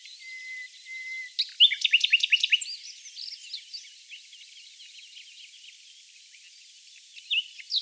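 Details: Common Nightingale singing close by in a dune valley near Oostkapelle, the Netherlands, amid a chorus of other nightingales: a faint thin whistle, then a loud burst of rapid sharp notes, and later a busy, softer background of overlapping twittering.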